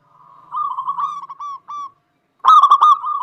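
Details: Zebra dove of local stock, a keen singer used to stir other doves into singing: a softer rolling, purring coo with brief breaks, then a loud stuttered, vibrating phrase after a short pause.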